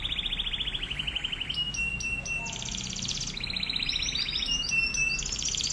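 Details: Atlantic canary in full song, used as a master recording for training canaries: a continuous chain of rapid rolled tours, each a second or so, stepping between higher and lower pitches, with bright metallic notes above and faint hum.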